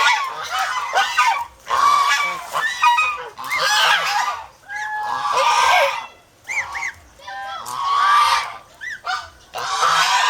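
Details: An over-protective flock of domestic geese in the Philippines honks almost continuously, overlapping nasal calls in loud bursts separated by short pauses.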